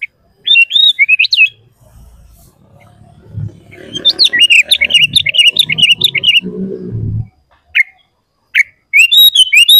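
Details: Lively sooty-headed bulbul song used to provoke other bulbuls: a short chirpy phrase, then a long stream of rapid, jerky, high notes over low rumbling background noise, followed by scattered single chirps.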